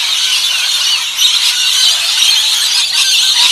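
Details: Rainbow lorikeets gathered at a backyard bird feeding in Australia; a dense, unbroken wall of shrill screeching and chattering from many birds fills the whole stretch, with no pauses.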